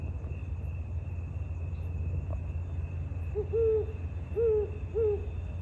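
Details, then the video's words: Great horned owls in Sierra Madre, California, on October 13, 2023; three deep, soft hoots arrive about a second apart after a quiet start, over a low steady rumble and a constant high insect-like whine. "Great Horned Owls"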